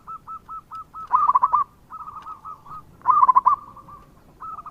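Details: Local zebra dove singing as a lure for other doves. Evenly spaced short coos lead into loud, bubbling stuttered phrases, answered by softer, overlapping cooing that suggests a second dove.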